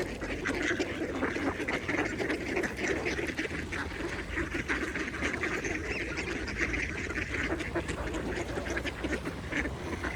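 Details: Mallards feed at a pond with a dense, continuous chatter of low quacks and dabbling, blended with steady water ambience throughout.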